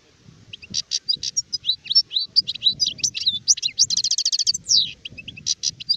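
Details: European goldfinch, an adult bird, singing in 2019: lively mix of ticks, slurred whistles and chattering, building to a fast rattling trill before a final downslurred note and scattered chirps.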